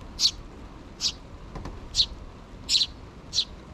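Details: Begging sparrow chicks, two still in the nest with their mother nearby, calling for food: five short, high, rasping chirps spaced well apart, one doubled, against a soft hiss.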